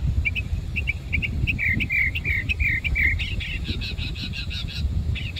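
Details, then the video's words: Birdsong recorded in Savannah: quick high chirps and short slurred notes in a rapid series, ending in a burst of buzzy pulsed notes, partly masked by strong low rumbling noise. "bird song in Savannah"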